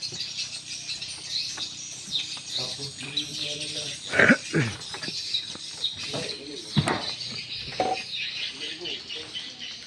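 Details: Swiftlet calls used as a lure for swiftlet houses: rapid high twitters form a steady chattering wash, cut by several loud sharp clicks and some lower tonal bits.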